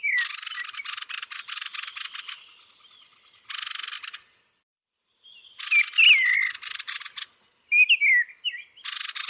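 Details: Thrush (Turdus) at roosting time: repeated bursts of harsh, fast-pulsed rattling separated by pauses, with squeaky slurred whistles between and inside the bursts.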